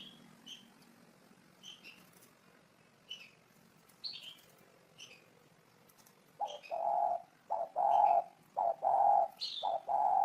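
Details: Spotted dove cooing. Faint high chirps from other birds come first, then loud, low, mellow coos start midway and repeat in quick groups of hollow notes until the end.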